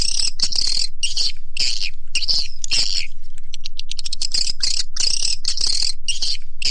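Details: Lure call to attract swiftlets, shared with Indonesian swiftlet farmers: steady series of harsh buzzy twitters, about three each second, with a short burst of rapid clicks midway.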